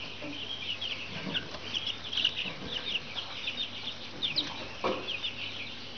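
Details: Brahma chicks peeping together: a dense, continuous chorus of high, thin cheeps and trills from several chicks, with a few louder peeps and faint low rustling.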